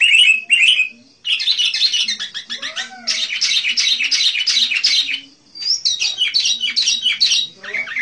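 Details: Vigorously singing sooty-headed bulbul, a recording meant for luring wild bulbuls: dense bursts of bright chattering, bubbly notes with a short pause near one second, then long continuous chatter with a few downward slurred whistles.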